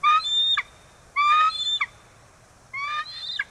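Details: At a nest in Kisatchie National Forest after the first egg of the season, 9 December 2023, a bald eagle gives three drawn-out, piercing squealing calls, each rising then dropping sharply, separated by short pauses.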